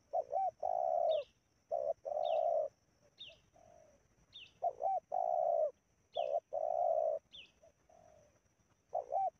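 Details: Spotted dove (tekukur) in Indonesia, heard while trained decoys lure wild doves to a trapping ground. Low, mellow cooing phrases repeat in rhythmic bursts every second or so, with brief, thin, higher notes slipping in between.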